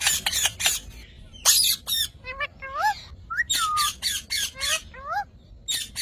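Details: Parrot alternating loud, rasping squawks with short, rising whistled chirps in an irregular, lively sequence.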